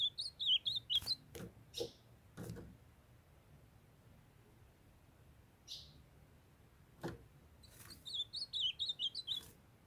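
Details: Captive young male ultramarine grosbeak in Brazil, kept with a female calling to warm him up, sings two quick warbled phrases of high sliding whistled notes, one at the start and one at the end, with knocks and clicks between.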